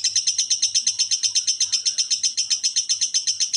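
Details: Rapid lovebird ngekek, recorded for masteran so other birds answer: an even, pulsing train of shrill buzzy chirps at roughly four per second for the whole stretch, a soft hum below.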